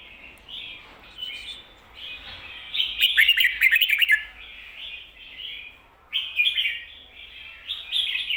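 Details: Doubled 'kho-ta-ra' song from a red-whiskered bulbul, played to teach caged bulbuls: short fluty phrases build into a dense, fast run of chirpy notes, then more clear whistled phrases follow.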